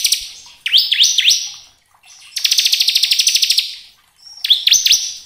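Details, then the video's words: Bar-winged prinia of kristal type singing to provoke other birds: sharp downslurred whistled notes with rising tails, then a long buzzy rattling trill, then more swooping whistles. "Pancingan ciblek agar cepat bunyi gacor ngebren"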